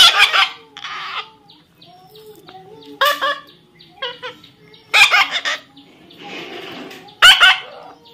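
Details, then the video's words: Baby parrot during taming gives a series of five harsh, rasping squawks spaced about two seconds apart, some with short wavering notes between, plus a brief hissy noise burst near the end. "natural funny parrot sound"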